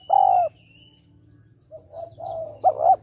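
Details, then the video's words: Spotted dove hen calling to stimulate males: a long, steady, mellow coo, silence, then soft rising coos ending in a loud, wavering two-part note. "tiếng cu gáy mái kích trống hay"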